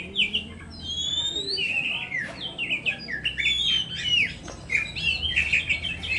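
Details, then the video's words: Singing Oriental magpie-robin delivering a long, varied medley of high whistled slurs, upward sweeps and rapid warbled phrases with brief clicks, continuous and lively, faint low hum in the background. "terapi kacer poci"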